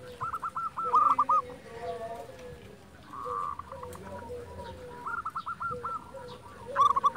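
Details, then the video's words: Local silver zebra dove singing, fainter and further off. Short series of hooked cooing notes rise over a noisy background with rustling, ending with a louder rolling phrase. "Perkutut silver gacor"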